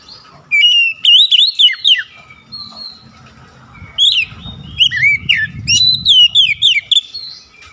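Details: Oriental magpie-robin in full, lively song: loud whistled phrases that rise and fall and twist, with sharp high upslurred notes between, in bursts separated by short pauses, over a low background hum.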